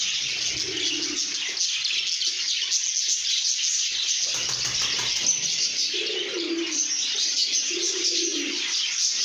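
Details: Content lovebirds chatter in a steady wash of shrill, high twittering throughout, while brief low cooing notes surface a few times underneath.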